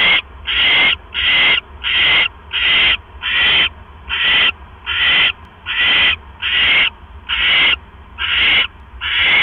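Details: Owl pair at a nest camera, 7:24 PM on 18 October 2015, with the male bringing a rat to his mate. A steady series of about thirteen harsh, hissing screeches follows, each separated by a short pause.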